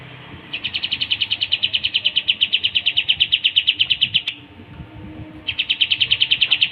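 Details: Pied triller song, recorded for bird training: a long rapid train of evenly pulsed, sharp high notes lasting nearly four seconds, a short pause, then another fast pulsed train begins.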